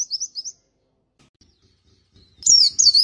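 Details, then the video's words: Caged white-eye, a contest bird of the G12/G16 class used as a master song for training, giving short high whistled notes, a pause, then a loud burst of rapid high twittering. "Masteran Pleci Kusus G12 & G16 materi menonjol"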